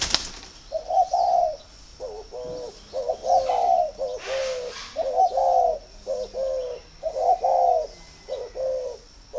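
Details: Spotted dove with signs of readiness to pair, calling in rapid low coos in bursts. Stuttering short notes alternate with longer drawn coos through the recording, with a faint rustle in the background.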